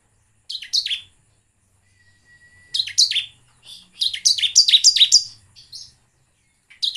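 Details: Lure song of a bar-winged prinia meant to set birds singing: short clusters of sharp falling chirps, some bursts of three, one longer run of about eight, broken by silences, with a faint steady tone.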